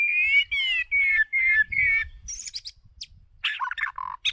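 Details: White-rumped shama decoy bird singing, used to train the voices of other shamas. Five clear, slightly wavering whistled notes come about every 0.4 seconds, followed by a burst of higher, varied chattering and whistled phrases.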